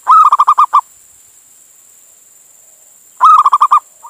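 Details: Local Indonesian male zebra dove calling to a female to lure other doves: two rapid phrases about three seconds apart, each a short lead note running into six quick rhythmic pulses, silence between.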